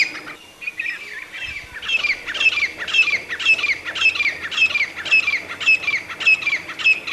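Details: Grey francolin repeating a piercing, high, falling call note at a steady pace of about two to three per second, carrying on for six seconds outdoors.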